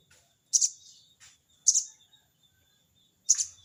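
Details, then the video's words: A sogon bird calls a rival with crecet cerecet notes: three rasping high double bursts over about three seconds, with faint softer chatter between them. "burung sogon bunyi crecet cerecet!!sogon manggil lawan!!"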